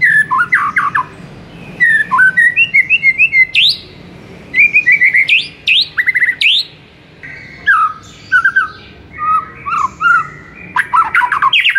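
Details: White-rumped shama song played as a master to spur a mute bird, with several bursts of rapid chattering whistles and sweeping high notes separated by pauses.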